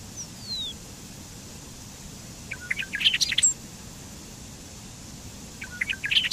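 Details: Bobolink (Dolichonyx oryzivorus), a migratory songbird, singing: a thin descending whistle opens, then two quick bursts of jumbled, bubbling, tinkling notes about three seconds apart, each lasting roughly a second, over a faint steady low hum.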